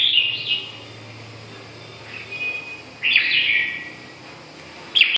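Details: Lively whistled phrases from a red-whiskered bulbul, a quick warble at the start, a thin held note midway, a strong slurred burst after three seconds and a final note at the very end, over low hum.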